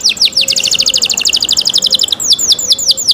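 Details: Canary in cenkok singing, opening with a few descending whistled sweeps, then a rapid bright trill of short repeated notes, ending again with slower falling whistles.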